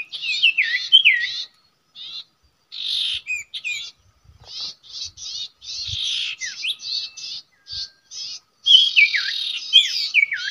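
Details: Common iora at a usual nesting site used as a trapping spot: bright, varied phrases of sharp chirps and downslurred whistles in bursts with short pauses, strongest at the start and end.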